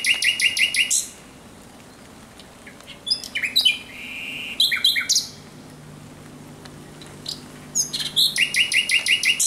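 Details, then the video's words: Thrush nightingale singing at night on 17 May 2023: loud rapid series of dry, repeated knocking notes at the start, scattered whistles and rattles in the middle, then another fast repeated series closing the phrase. "Śpiew słowika rdzawego nocą."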